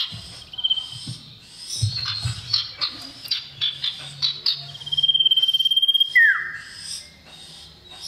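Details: Lure recording of a male common iora calling a female: a rapid run of chirps, a sustained high whistle, then a steep falling slur, over a low steady hum.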